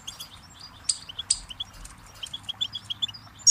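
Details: Goldfinch singing a lively twitter of high, liquid chirps, with a couple of louder ringing notes early on and a rapid string of short tweets toward the end.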